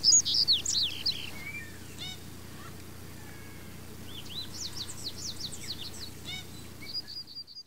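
A female Double-collared Seedeater gives thin, high chirps and quick down-slurred notes in short bursts, ending in a rapid twittering series over a low steady hum.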